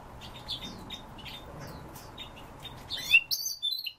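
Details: Siberian rubythroat with faint, scattered high notes at first, then a loud final burst of sharp, squeaky whistles and chirps.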